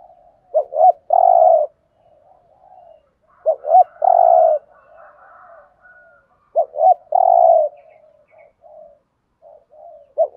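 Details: Spotted dove 'thúc gù' cooing, Thổ voice, used for decoy trapping: three clear phrases of paired short notes ending in a sustained low coo, linked by faint soft cooing, with a clipped start of another phrase at the end.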